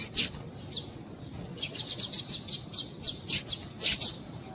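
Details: Female double-collared seedeater calling to excite males into singing: thin, very high chips, single and in quick runs of four or five, over a faint hiss.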